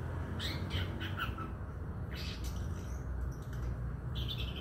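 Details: A young male Long-tailed Shrike from Madura gives harsh, scratchy bursts and short chattering phrases as it practises its song, over a steady low hum.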